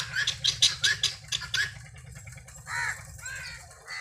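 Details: Helmeted guineafowl ranging freely while feeding: a quick burst of rasping, repeated chattering notes, then a pause and a couple of drawn-out nasal, wavering squawks, a low hum underneath.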